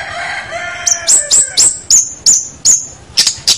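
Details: Long-tailed shrike on a tutoring track for other birds: soft descending whistles open the phrase, followed by a string of high, sharp, slurred chips repeated about three times a second.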